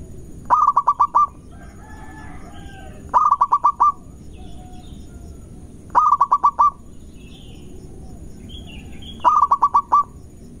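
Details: Lure song of a local Indonesian zebra dove, used to provoke opponents: four bursts of rapid pulsed coos on a constant pitch, repeated about every three seconds, with faint higher chirps and low hum between them.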